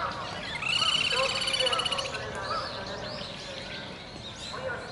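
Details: Two little grebe sibling chicks about 50 days after hatching at a pond in Inokashira Park, 25 November 2018, while the parents build a new nest. A rapid, high, pulsed trill for about a second and a half, over people talking and faint chirps.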